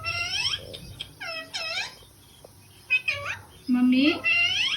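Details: Pet parrot talking indoors, repeatedly calling "mummy" in a harmonic, voice-like imitation; several short words in quick succession, some breaking into rising squeaky tones, with background music between calls.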